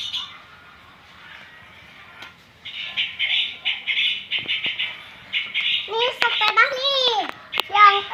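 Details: Quiet start, then a juvenile long-tailed shrike practising song in bursts of buzzy, grating high chatter, ending with loud arched nasal squawks and sharp clicks.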